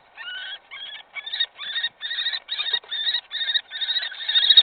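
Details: Common kestrels fighting over prey at a nest in Brest on 26 April 2018 squabble in harsh, grating screeches, about ten rasping bursts in under five seconds, growing louder.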